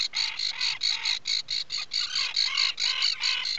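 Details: Atlantic puffin calling from its nesting burrow on Seal Island National Wildlife Refuge, Maine, early on 12 July 2018; loud, regular high-pitched notes with a downward-curving lower part, repeated about every quarter second.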